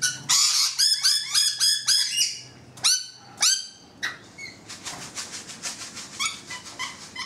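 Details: Rainbow lorikeets perched on a balcony chatter noisily: fast shrill squeaks run together in rapid trills at first, then softer, steadier clicking chatter carries on.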